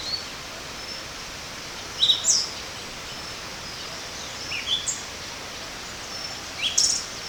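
Pied Thrush giving thin, very high, sibilant call notes in three brief bursts about two seconds apart, over a steady background hiss.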